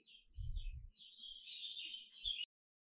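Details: Canary singing a single continuous warbling phrase of about two seconds, high and wavering with rolled notes, ending abruptly; soft low thumps sound near the start and end.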